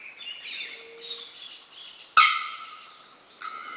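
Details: In Dianópolis, Tocantins, Brazil, a bearded bellbird (Procnias averano) gives one sudden, loud, metallic clang that rings for about a second, then a softer second note, over faint forest hiss.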